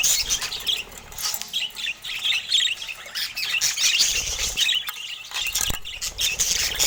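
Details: Several pet budgerigars of colourful mutations chatter together in a steady, dense stream of high scratchy warbles, squeaks and clicks with no pauses.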